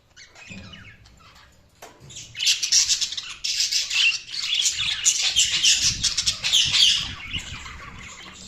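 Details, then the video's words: Budgerigars chirping: after a quiet start with a few soft notes, a dense, continuous, high-pitched chatter of overlapping chirps and warbles rises from about two seconds and runs to near the end. "Budgies Chirping sound"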